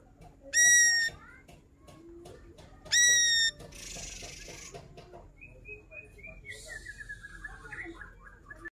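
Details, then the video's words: Ashy drongo in full voice revealing its repertoire of learned phrases, for tutoring songbirds: two loud ringing nasal notes, then a rapid series of descending whistled notes, with hissing noise in the background. "Srigunting abu - abu Gacor bongkar Isian"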